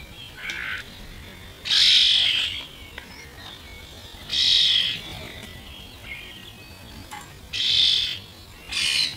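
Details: Starlings, mostly this year's young, squabbling over food and slowed to half speed: loud, harsh screeching bursts about a second long, repeated roughly every three seconds, with quieter chatter in between.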